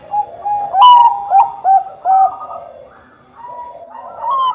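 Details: Bangkok zebra dove in full song, used as a lure to encourage other doves. Clear, whistled coos come in short bursts about a second apart, each with a slight upward inflection, then a brief lull and renewed cooing.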